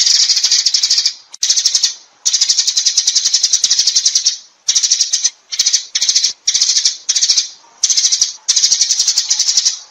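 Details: Sparrows calling to gather the flock, a busy stream of sharp, high twittering chirps in long and short bursts with short pauses between them, about ten bursts over the stretch.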